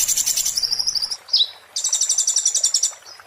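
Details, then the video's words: Oriental white-eye singing 'muntah beling', a tutor song for magpie-robins and shamas: dense, shrill trills at high pitch, a brief downward-swept note, then a further long run of quick ringing notes. "master konin muntah beling..!!!cocok untuk kacer/murai materi burcil"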